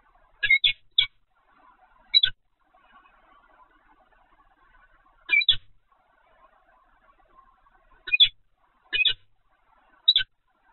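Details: Peregrine falcon, Evoluon site, 7 February 2020 at 15:55: short scratchy double chips spaced several seconds apart over a quiet, faint background hum.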